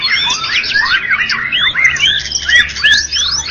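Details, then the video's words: Murai batu (white-rumped shama) that won first prize in a contest, Medan and Java: fast, dense jumble of swooping whistles and harsh squeaky notes, nearly continuous. "Murai batu Medan dan Jawa Juara Satu Pemenang Lomba Bird Copsychus malabaricus Suara Burung"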